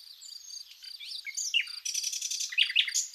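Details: Common nightingale singing in spring among wildflowers in Zagorochoria, Epirus, Greece: varied whistled notes and slurred rising and falling phrases, then a fast burst of repeated harsh notes. A cricket chirps steadily in pulses throughout.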